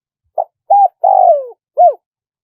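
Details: One complete spotted dove phrase in the wild style with one 'kuk': clipped opening note, flat hoot, long rolling coo sliding downward, then a short arched coo, close and clean.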